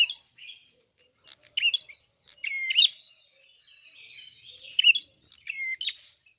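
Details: Red-fronted prinia (prenjak kepala merah, klawu) in full song: quick, high twittering notes mixed with brief flat whistles, coming in irregular bursts with gaps between them.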